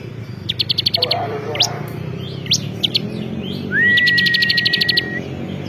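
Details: Bar-winged prinia, a champion ciblek kristal, in lively song. Bursts of fast high chips alternate with sharp rising notes, then a long smooth whistle carries another rapid ticking run.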